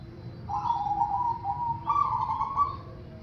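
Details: Zebra dove lure song, played to make other doves sing: a soft, sustained cooing phrase held at a steady mid pitch, then stepping slightly higher and trilling before fading, over a low background hum.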